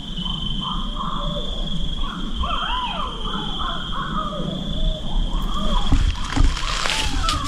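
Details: Barred owls heard while camping give wavering, rising-and-falling hoots and cackles that overlap each other, over a steady high insect drone and low splashing rumbles.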